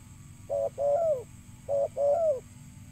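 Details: Spotted dove gives two matching low coo phrases, each a short note then a longer, slightly falling coo, from a recording used to attract birds, with faint steady hiss behind.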